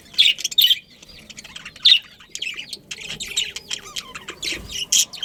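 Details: Breeding budgerigars calling: a few loud, piercing squeaks early on, followed by a busy run of softer warbled chirps and twitters from several birds.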